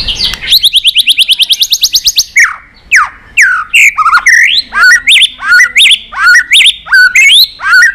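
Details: White-rumped shama singing a many-voiced song meant to excite and train other shamas: a fast run of about twenty sharp repeated notes, then sweeping whistles and loud repeated phrases of rising and falling notes with buzzy ends.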